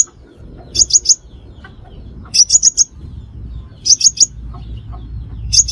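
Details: Crimson sunbird lure calls for trapping: clipped high chips in groups of three or four, repeated about every one and a half seconds, with a faint low rumble beneath.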